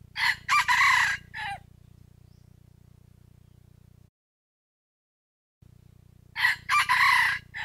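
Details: Red junglefowl decoy rooster, used to provoke lazy wild roosters into crowing, gives two short, broken crows several seconds apart, each a quick series of harsh, bright syllables, over a low steady hum.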